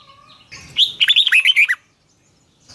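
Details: Red-whiskered bulbul singing in the morning, used as a training voice for caged birds: a single burst of about ten loud, rich whistled notes sweeping up and down, lasting roughly a second, then quiet.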